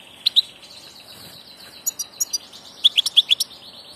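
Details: Passage European goldfinch, a migrating bird, with scattered high chirps building into a quick tinkling run of tweets, over a faint background hiss.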